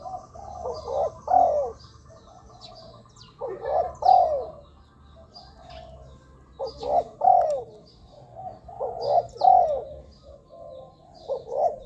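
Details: Spotted dove cooing meant as a lure for wild doves at ground, branch or trap-cage decoy sites: clustered short coos in irregular bursts every two to three seconds, with a steady faint hum and scattered high chirps of other birds.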